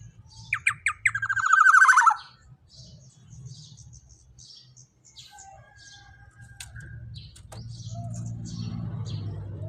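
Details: Black-naped oriole, loud, used for tutoring songbirds: brief nasal upslurred notes lead into a long grating buzz. Scattered faint chirps and clicks follow, then a growing low rumble.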